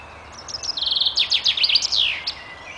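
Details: A common chaffinch in a forest on 14 May 2014 sings a bright, rattling phrase of quick high notes that tumble downward into a closing flourish, lasting about two seconds over a faint background hiss.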